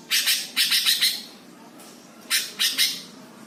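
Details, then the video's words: Greater green leafbird training song, tagged Jepara and meant to rile other birds: two rapid clusters of loud, rasping, buzzy notes separated by a short pause, with a faint low background hum. "MASTERAN CUCAK HIJAU BIKIN EMOSI BURUNG LAIN"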